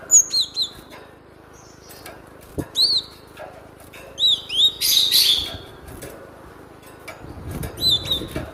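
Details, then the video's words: Cinereous tit (glatik batu) heard as a training lure: repeated sharp high chirps in irregular bursts, a harsh scratchy burst near the middle, and low rustling toward the end. "SUARA BURUNG GLATIK BATU MASTERAN AMPUH"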